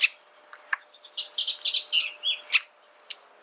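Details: Short burst of Bullock's oriole song: clustered whistled and buzzy notes over about two seconds, framed by a few sharp clicks.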